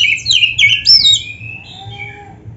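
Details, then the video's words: Black-breasted Oriental magpie-robin (kacer) singing 'full isian' style: a quick tumble of bright, varied whistled and slurred notes, then a thin, drawn-out fading whistle in near quiet. "MASTERAN BURUNG KACER GACOR FULL ISIAN MEWAH"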